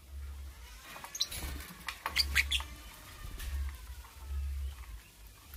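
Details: Lovebird singing in the morning: a short burst of sharp, high, scratchy chirps around the second second, over a steady low hum.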